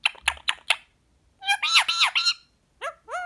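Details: Green pied male Indian ringneck parakeet kept as a pet, talking while relaxed after a day of play: quick clicky syllables, then a run of harsh, warbling speech-like phrases and two short rising calls, indoors.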